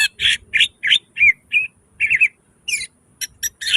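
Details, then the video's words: Greater green leafbird singing forcefully with mimicked fills, used to prompt reluctant birds: chattering run of short harsh buzzy notes and quick whistled slurs, delivered in separated bursts. "Suara cucak ijo gacor full nembak isian"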